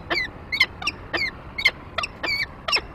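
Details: Peregrine falcon at a nest site as the male arrives with prey and the female follows; repeated whining, downslurred calls alternating with sharp chips, about three per second.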